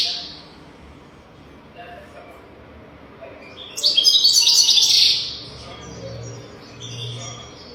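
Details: European goldfinch song for teaching young goldfinches: a loud rapid twittering trill lasting over a second in the middle, with quieter chirps before and after and low background hum.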